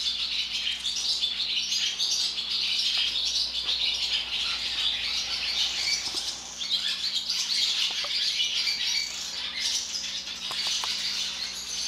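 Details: Flock of barn swallows pouring into an equipment barn through an open door, giving a steady wash of overlapping high chirps and twitters, with occasional louder squeaky notes and faint clicks inside the building.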